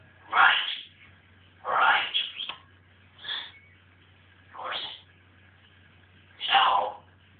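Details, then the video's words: Pet African grey parrot in a wild mood: five harsh, rasping squawks at irregular intervals of about one to two seconds, each short and explosive, with a low hum in the background. "my mad parrot"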